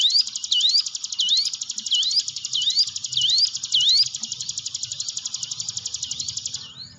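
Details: A hill prinia, used as a lure recording to coax quiet captive birds into singing, sings a rapid series of high, upslurred notes, about two per second, over a continuous buzzy trill.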